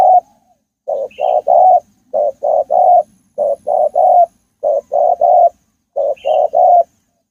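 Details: Spotted dove in forest giving its call in repeated groups of three hollow coos, the last of each group slightly longer, phrases spaced about a second apart; a faint higher chirp from another bird twice in the background.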